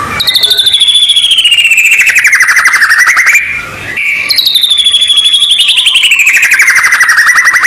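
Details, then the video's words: White-rumped shama song used as training audio before a song contest: loud whistled phrases sliding down from high to mid pitch with a rapid buzzy trill pulsing about four times a second, a brief pause near the middle. "MASTERAN PERSIAPAN LOMBA: Suara untuk Stabilkan Emosi & Kondisi Puncak"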